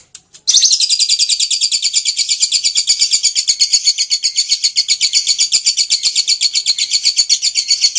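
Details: Lovebird singing vigorously in the long-trill style known as ngekek panjang: one continuous, rapid, high buzzy trill of about four notes a second, sustained for over seven seconds after a brief faint start, with no other clear sounds.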